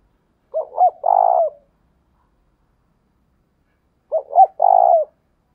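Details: Two identical phrases from a spotted dove decoy used to lure doves, each two quick hoots followed by a long rough rolling coo, about three and a half seconds apart.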